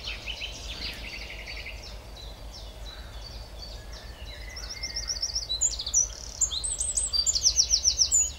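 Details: Eurasian wren in song, pouring out fast high trills and chattering runs that swell after a quieter middle stretch into a loud, rapidly repeated series of sharp notes near the end; faint low background hum throughout.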